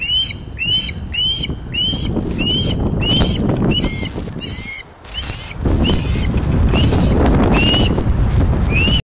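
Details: Osprey nest at Loch of the Lowes, Scotland, webcam footage from 16:39 on 31 August 2013 during a large fish delivery. Rapid rising whistled chirps come almost twice a second, then slower after a brief lull, over steady wind-like roar.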